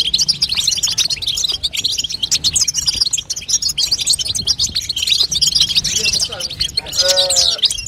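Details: A female European goldfinch chatters to encourage a young bird to sing, giving a busy torrent of thin, high twitters, with a short lower-pitched squeaky note near the end.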